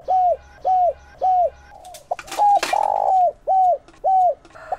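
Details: Decoy spotted dove used to lure wild doves, steady series of short mellow arched coos about twice a second, broken in the middle by clattering handling noise and a longer blurred note before the coos resume.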